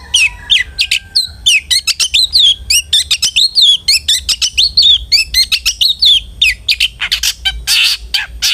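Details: Long-tailed shrike singing vigorously, used to coax other shrikes into song: a fast, unbroken run of varied high chirps and down-slurred twitters, about one note every fifth of a second, ending in rougher buzzy notes.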